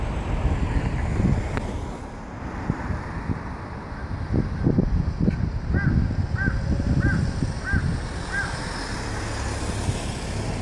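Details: Crow cawing, recorded on 27 April 2015: a run of five harsh, evenly spaced caws about two-thirds of a second apart in the second half, over a steady low rumble and background noise.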